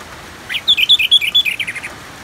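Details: Anis merah, the Orange-headed thrush, in ngeplong style: one rich, fluty phrase of bright whistled notes alternating between higher and lower pitches, ending in a falling string of short notes over soft rain hiss.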